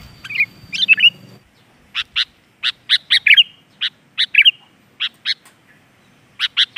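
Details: Sooty-headed bulbul: a short warbled phrase, then a string of sharp chipping clicks with another brief bubbling phrase. The recording is used as a lure to get young caged birds singing.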